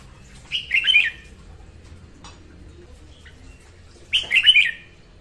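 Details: Female red-whiskered bulbul's morning song, played to train birds to sing and to lure them into traps: two bright warbled phrases of rapid rising and falling whistles, about three and a half seconds apart.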